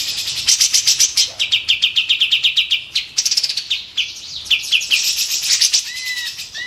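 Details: Loud, sharp song of a white-eared bulbul used to train contest birds: long runs of fast, evenly pulsed trills alternating with short whistled phrases and a rising whistle near the end.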